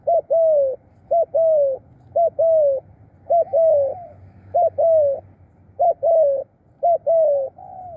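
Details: Spotted dove kept as a decoy to lure others, cooing in khrun style: repeated pairs of a short note and a longer downward-sliding coo, roughly one pair per second, clean and close.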